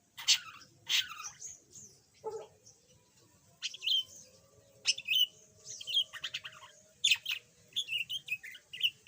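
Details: Yellow pet budgerigar, formerly silent and now starting to chatter, gives scattered bright chirps and short squeaky notes in quick bursts, with a few lower raspy notes and brief pauses between phrases.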